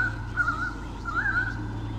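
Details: Mated white-bellied sea eagles at Sydney Olympic Park, Australia, 2013, on a nest camera, driving off swooping currawongs: two bursts of quavering, nasal honks, each a short cluster of wavering notes, with constant low hum behind.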